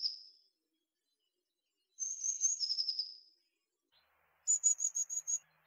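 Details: Tit song: thin high whistled notes, a wavering phrase dropping slightly in pitch, then a quick trill of five to six sharp high notes.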